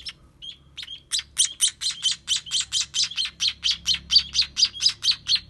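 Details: Young sparrows begging while being fed: after a few soft opening notes, a rapid steady series of bright, high chirps, roughly two each second.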